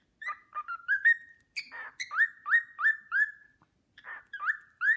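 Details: Pet cockatiel whistling the Sportpalast Waltz, a learned melody: short clear whistled notes that rise and slur into held tones, grouped in quick runs with brief pauses between phrases, indoors with no other noise.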